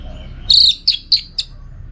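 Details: Orange-headed thrush, trained for song contests, giving one longer buzzy high note followed by three short sharp chirps at falling loudness.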